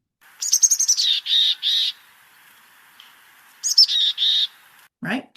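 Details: Mountain Chickadee (Poecile gambeli) giving two chick-a-dee calls, each a few high scratchy notes followed by buzzy, hoarse dee notes; a brief spoken word ends it.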